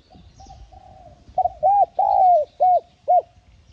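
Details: Spotted dove, a recording meant to prompt captive wild-caught doves to coo. A soft, low, steady hum leads into five loud arched coos. The middle note is stretched and falls away at its end.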